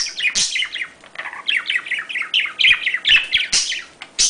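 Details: Domestic budgerigar breeding chatter meant to stimulate mating: a nearly continuous run of quick, high, downward-slurred chirps and buzzy warbles, with occasional sharp clicks and brief gaps.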